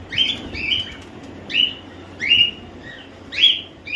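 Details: Home-bred cockatiels, babies and semi-adults, kept at a home breeding sanctuary, calling: bright, slightly down-slurred chirps, some doubled, about once a second over a quiet indoor background.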